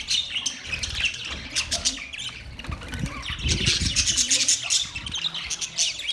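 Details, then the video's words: Budgerigars chirping in fast, high chatter and squeaky trills, with some lower murmuring sounds and thuds mixed in toward the middle. "Budgies birds chirping sounds Budgies parrot sounds"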